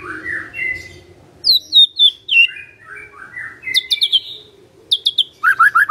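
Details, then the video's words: Magpie-robin singing vigorously, with varied clear whistled phrases sliding up and down, then bursts of sharp high chirps and quick repeated notes. Faint low hum in the background. "Murai Nyaut Gacor"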